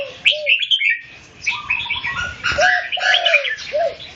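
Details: Red-whiskered bulbul singing against a competing bird, mixing sharp high chirps with warbled phrases and repeated lower whistles that curve downward, amid steady background birdsong.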